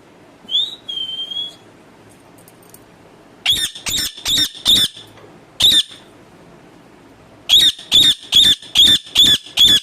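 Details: Pet talking parrot opening with a short rising whistle and level note, then bursts of sharp, regular squawks, about three per second, repeated in two series.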